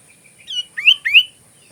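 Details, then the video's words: Sooty-headed bulbul song recorded as filler for magpie robin training: one soft note followed by two loud, rising, slurred whistles in quick succession. "MP3 suara kutilang isian Kacer"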